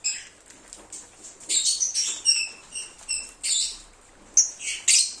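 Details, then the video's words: Singing and cheeping lovebirds, played to lure an escaped one home: faint high ticks at first, then loud, sharp, piercing chirps and squeaks in quick clusters. "SONIDO DE AGAPORNIS. Reclamo ,cómo canta un Agapornis o INSEPARABLE."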